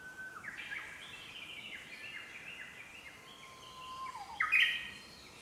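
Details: Wild Japanese paradise flycatcher, a male incubating at the nest in a green forest, sings a run of short whistled notes that step downward and repeat about twice a second. A harsher, louder chirp comes near the end, and other birds call faintly.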